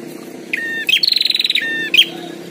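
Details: Wild and caged prinia in a singing fight: a whistled slur, a sharp upsweep, then a fast pulsing buzzy trill lasting about half a second.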